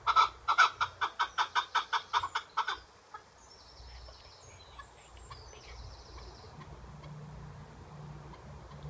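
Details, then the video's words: A pet Chukar partridge gives a quick run of about a dozen harsh chuck notes, roughly four a second, then stops; faint high whistles from another bird follow. "Chukar partridge"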